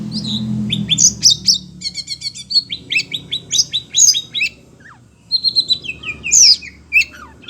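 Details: Oriental magpie-robin (kacer) kept as a cage bird, worked up by the voices of other birds, delivers a fast, varied string of sharp chirps, buzzy bursts and whistled phrases with brief pauses; low rumble at the start.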